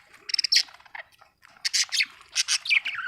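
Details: Budgie chatter of quick scratchy chirps and squawks, a short quiet break, then more dense rasping notes ending in a slurred whistle.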